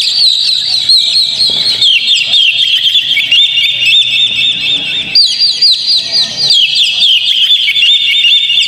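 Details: Oriental magpie-robin song used as a lure to make a kept magpie-robin sing steadily: a dense, unbroken stream of quick whistled slurs and chirps, high and bright, with a fresh burst of sharper notes about halfway through.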